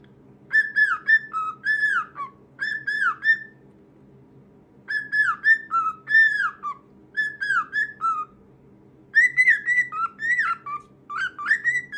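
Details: Pet cockatiel singing a whistled tune: clear melodic phrases with rising and falling slurred notes, in bursts of two to three seconds separated by short pauses, over a steady low hum.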